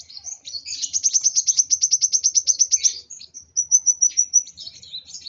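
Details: Excited kolibri wulung sunbird delivering a fast, sharp, high-pitched trill of some twenty clipped notes, followed after a brief gap by a string of thin, sweet whistled notes and a final twitter.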